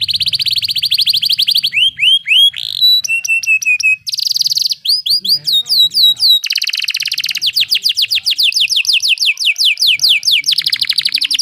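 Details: Canary song used as a training recording, a rapid sequence of varied phrases: fast buzzy rolls near the top of its range, clear rising and falling whistles, sharp repeated notes and long trills, changing every second or so.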